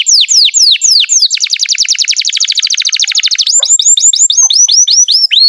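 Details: Canary in full song, used as a tutor for young or silent canaries: loud downslurred whistles, then a long rapid run of clipped repeated notes, ending in a series of hooked, rising-then-falling whistles.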